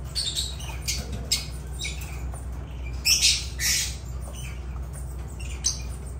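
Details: Lovebird calls: a few scattered high, grating squawks, then two loud rasping bursts near the middle before quieter calls trail off, over a low hum.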